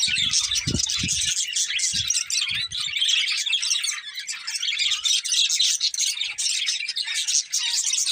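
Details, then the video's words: Budgerigars, a colourful breeding pair, keeping up continuous rapid chirping: a thick, buzzy stream of high warbled and scratchy notes without pause, with some low thumps early on. "Colourful Budgies Chirping Sounds"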